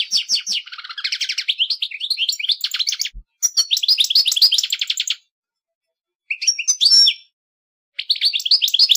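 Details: Real European goldfinch song: fast rattling twitters and tinkling trills, a buzzy stretch, then a long silence broken by a short burst of chirps and a high whistle before the twittering resumes.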